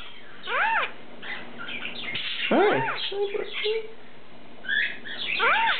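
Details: Pet lineolated parakeets kept indoors, three birds in cobalt, turquoise and cream; the cream male mimics speech such as "Hi" and "give me a kiss". Arched, harmonic, voice-like warbles and chirps come in bursts, with a faint human voice in the background.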